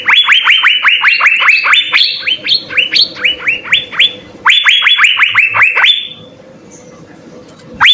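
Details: Blue-winged leafbird giving a jamtrok song full of ngekek bursts, used for tutoring: long fast run of ringing upswept notes, some higher notes mixed in, a brief quiet gap, then one more note at the end.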